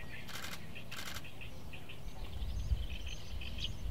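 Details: Oriental stork bill-clattering, an expression of affection, at a nest with two month-old chicks in Noda, Japan, 24 May 2024, after a parent returned: two quick dry rattling bursts, with thin small-bird chirps over low rumble.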